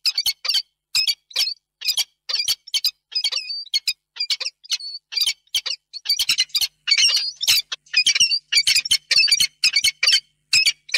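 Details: Male and female peregrine falcon at their nest box in Reda on 28 February 2022, before evening, during a long tender meeting; rapid, continuous harsh chattering notes, about two per second, with occasional whining slurred tones.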